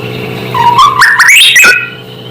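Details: Song of a White-rumped shama used to provoke other shamas: a low whistle rising stepwise into a higher flourish and then a falling slur, over a steady hum.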